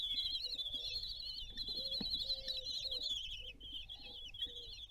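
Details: Meal on the nest balcony for a common kestrel family in Théding, France, on 20 June 2022: shrill, wavering, slightly trilled calls stream continuously, with faint lower squeaks and a single sharp knock.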